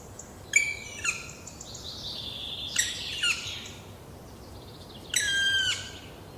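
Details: Black woodpeckers, a pair tending juveniles not yet strong enough to leave the nest, in a Trentino forest, Italy, late spring 2018; loud harsh calls with shrill tones around three seconds apart, plus a drawn-out scratchy note, over quiet woodland background.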